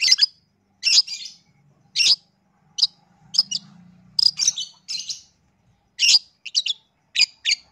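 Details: Long-tailed shrike singing a lure song meant to provoke other shrikes into answering: harsh, buzzy chattering bursts and sharp notes separated by short silences, with a faint low hum in the background.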